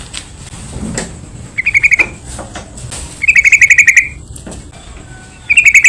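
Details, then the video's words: Provocation lure of a yellow-vented bulbul for getting other bulbuls to sing: three lively bubbling phrases of rapid warbled notes, the middle one longest, spaced by quiet gaps with faint background noise. "PANCINGAN BURUNG TRUCUKAN , SEMUA TRUCUK PASTI IKUT BUNYI"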